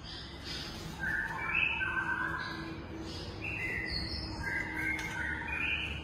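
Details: Captive long-tailed White-rumped shama from a breeding facility singing varied clear whistled phrases, some high and some lower, rising and falling, over a steady low hum.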